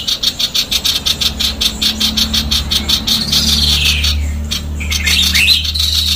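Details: Female sooty-headed bulbul, caged, singing fast, dense and harsh: a run of rapid, evenly pulsed squealing notes, then a longer warbled phrase sliding down in pitch, over a steady low mechanical hum.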